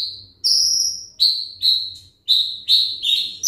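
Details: Olive-backed sunbird of the ringgit type, kept caged, giving slower, drawn-out high whistles, each held about half a second, separated by short gaps.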